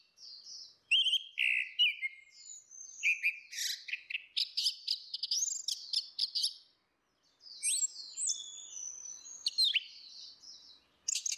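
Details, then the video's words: Orange-headed thrush song in a female versus male lure recording, full open delivery: fast tumbling whistles, slurred rising and falling notes and scratchy bursts, a short pause near the middle, then more bright phrases. "SUARA ANIS MERAH BETINA VS ANIS MERAH JANTAN NGEPLONG || PANCINGAN ANIS MERAH"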